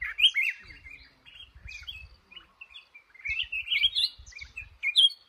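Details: Male red-whiskered bulbul caught in a trap sings rapid, lilting whistled phrases that swoop up and down, several overlapping notes per burst, with faint low bumping underneath.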